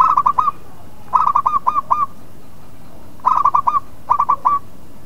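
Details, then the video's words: Zebra dove of a local strain singing, used as a lure to provoke rival birds into answering: bright, rolling cooed phrases of four to five rapid rising notes, delivered in four bursts across about five seconds. "Pancingan Perkutut Lokal Lawan Pasti Emosi Putar Sekali Langsung Nyaut"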